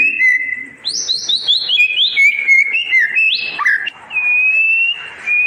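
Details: Murai batu (white-rumped shama) song played to tutor birds that have stopped singing: a flowing, loud phrase of rich whistles that step down in pitch, a quick upward sweep, then a steady, sustained whistle.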